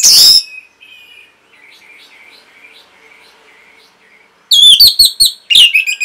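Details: Orange-headed thrush recording used to train caged birds: a short shrill burst, then quiet soft warbling for several seconds, followed by loud rapid high chirps and rattles.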